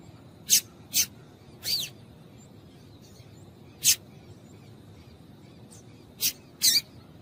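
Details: Female Double-collared seedeater calling, used to stir males into song: short sharp high chips given singly and in pairs at irregular intervals, about seven notes, with faint background hiss.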